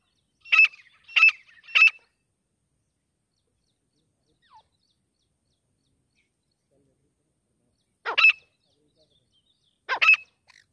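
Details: Wild grey francolin calling in sparse bursts: three sharp, harsh notes in a row, a long silence, then two more single notes spaced about two seconds apart.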